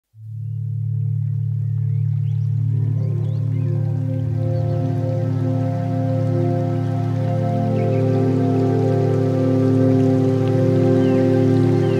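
Calm ambient music with deep sustained drones and layered held tones that swell after a quiet start, with no animal calls.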